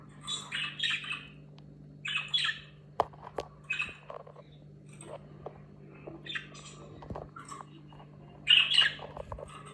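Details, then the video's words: Budgerigar calls recorded before and after it talks: repeated bursts of scratchy, warbling chirps in short clusters about a second apart, over a steady low electrical hum. "Muhabbet Kuşu Sesi #80 | Konuşma Öncesi ve Sonrası"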